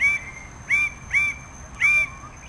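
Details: Red bird-of-paradise (Paradisaea rubra) uttering four loud, drawn, harmonic calls, each starting with a sharp upward flick and then held briefly, spaced about half a second apart, over a faint steady whine.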